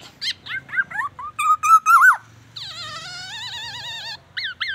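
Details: Black-naped oriole imitating oriental magpie-robin and an ambulance siren; slurred whistled notes build into a strong trilling phrase, followed by a long wavering siren-like wail lasting nearly two seconds, then two short sharp calls.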